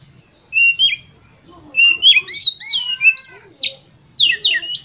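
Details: Oriental magpie-robin singing to spur competition birds into song. Bursts of bright whistles, buzzy trills and sliding notes come in separate phrases with short pauses between them.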